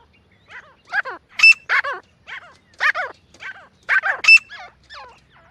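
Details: Francolin, or jungle partridge, calling in the jungle, recorded as a hunting call to attract birds: harsh, broken squawking notes with some sharp higher accents in short uneven bursts, separated by brief pauses.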